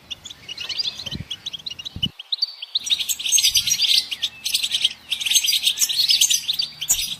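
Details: Goldfinch song that starts as a bright twitter, then thickens into a dense, buzzy, scratchy stream of high notes, with a few low thumps.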